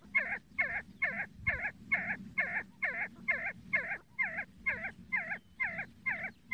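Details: Regular repeated calls of a See-see partridge, about fifteen clipped, curling notes at two-per-second pace, evenly spaced and steady in loudness, with a dull low-frequency background.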